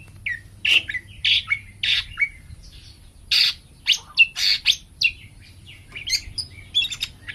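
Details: Greater green leafbird, a kept songbird singing vigorously in a lively, energetic mood: a rapid series of loud whistled and buzzy notes, some sliding down, packed into bursts with short gaps. A low steady hum sits underneath.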